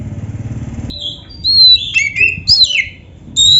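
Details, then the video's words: Oriental magpie-robin, gacor full isian song: after a second of low engine-like rumble, bright whistled notes start, rising and falling in varied phrases with short gaps. "suara burung kacer gacor full isian"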